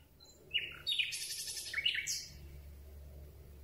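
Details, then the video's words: Common Nightingale singing at night, recorded from very close with a microphone on a telescopic boom: a short burst of high, varied notes, including quick sliding chirps and a dense buzzy middle section, then quiet. "Słowik Rdzawy piękny śpiew"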